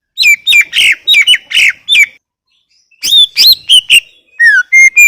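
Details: Energetic song of a greater green leafbird, bright chirped and whistled notes in quick clusters, a brief silence, then more varied rising and falling whistles.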